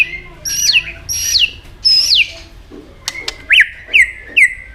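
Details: White-rumped shama singing competitively with many varied voices: three loud, clear, high whistles each slurring sharply downward, then a click and a run of quick rising notes repeated about every half second.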